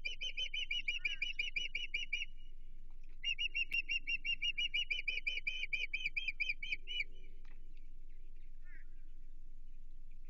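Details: Osprey alarm at a Chesapeake nest, 15 June 2023, with an intruder nearby: two bursts of fast, shrill whistled notes separated by a one-second gap, then quieter scattered sounds and a steady low hum.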